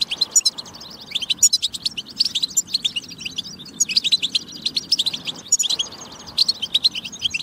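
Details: High, rapid twittering from a European goldfinch, played to encourage goldfinches to sing: chattering phrases with tinkling notes and short gaps near the middle and end.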